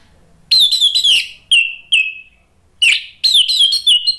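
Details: Orange-headed thrush song played as a lure to stimulate other birds to sing: loud, bright whistled phrases of sliding, slurred notes in quick bursts, with a pause of about a second mid-phrase before another rapid volley.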